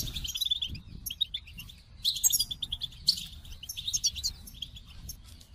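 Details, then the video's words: Goldfinch song made of repeated short chips and twittering phrases, interrupted by brief pauses, then rushing trills of high tinkling notes. "The Captivating Call of Goldfinches"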